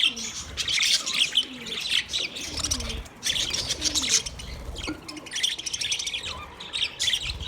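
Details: Chirping budgies, offered as company for a lonely bird: bursts of rapid, buzzy high chatter and warbling that pause briefly around three and five seconds, with soft low rustles.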